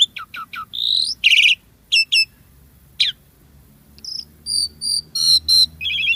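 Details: Jalak suren, the Asian pied starling, singing a gacor song rich in isian phrases: clipped high chirps, a buzzy trill, thin whistles and rattles separated by short pauses over a faint low hum.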